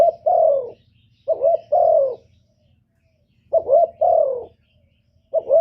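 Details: Spotted dove decoy calling to attract wild birds. Mellow paired coos, a brief quavering note and then a drawn-out falling one, repeat at intervals of about two seconds over a soft low rumble.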